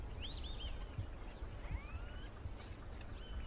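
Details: In Brazil, a foraging (fishing) Whistling Heron gives thin, high whistles, a few rising and falling slurs spaced over the seconds, against a steady low rumble of wind or distant traffic.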